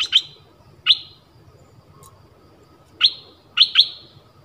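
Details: Decoy Dok Taeng bird calling a mate in a forest on 13 January 2021, drawing wild birds in; short sharp high chirps come singly and in quick pairs at irregular intervals over a faint low hum.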